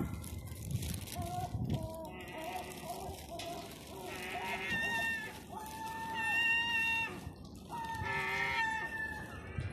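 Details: Lockdown seagulls in central Eastbourne, East Sussex, UK, calling for food on Terminus Road; a string of wavering, whining cries, some softer and lower, others louder and rising, amid town background noise.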